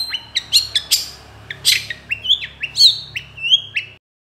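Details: Long-tailed shrike in energetic 'gacor dor konslet' singing, recorded as a master for training songbirds: sharp harsh chips and squawks mixed with flat high whistled notes that slide downward, about a dozen notes in quick uneven succession.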